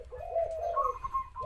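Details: A captive Spotted dove (Spilopelia chinensis) calls in the afternoon: a soft, mellow coo, with a low hooting note rising into a brighter, higher phrase and then dropping again, over faint room hum.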